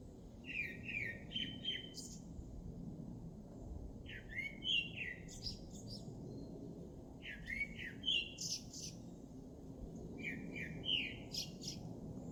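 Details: Singing bird repeats short, lively phrases of warbled whistles and sharp high notes about every three seconds, four phrases in all, over a soft steady background rumble.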